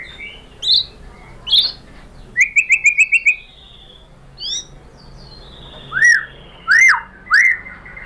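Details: White-rumped shama lure song to get a bird answering: separate upslurred whistles, a fast string of six clipped notes, then three loud arched whistles spaced under a second apart.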